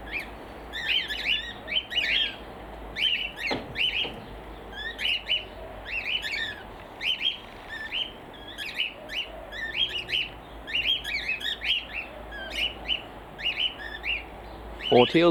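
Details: Pet cockatiels in an aviary on a foggy winter morning give loud, harsh squawks and chirps in quick repeated bursts; such outbursts are usually triggered by another bird flying over.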